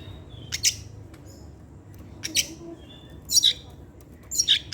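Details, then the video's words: Oriental magpie-robin in a cage singing in the evening: a few scattered short bright chirps and buzzy notes, fairly soft, with long gaps and a steady low background hum. "pancingan suara kacer , Opus setiap sore ngeplay dan keluar materi"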